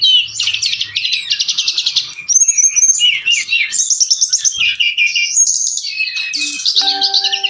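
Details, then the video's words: Brown-chested jungle flycatcher in lively song used as a model for caged birds: rapid pulsing trills and high twittering whistles in quick succession, ending with a steady electronic beep tone behind the bird. "Suara burung sikatan rimba"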